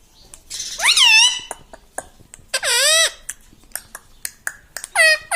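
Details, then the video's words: Pet talking parrot, kept indoors and taught to say 'mitthu' and 'mummy', gives three loud, sharply bending, harmonic-rich vocal bursts separated by pauses. Soft clicks and taps sound in between. "Talking parrot - Mitthu mitthu - Mummy Bolne Wala Tota"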